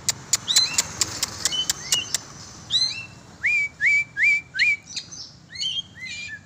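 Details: Oriental magpie-robin, kept and exercised in the open, opens with rapid dry clicks and chips, then a steady string of loud upward-sweeping whistles, ending in mixed twittering.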